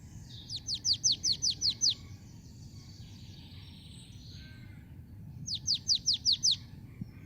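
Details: Marsh Tit, male and female together, giving two fast bursts of seven or eight sharp, high, far-carrying 'chip' notes, each slurring downward, with a pause between bursts over a low background rumble.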